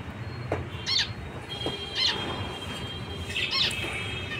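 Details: Three separate nasal honking beeps from a zebra finch, about one second apart, each preceded by a soft click, with low hum behind.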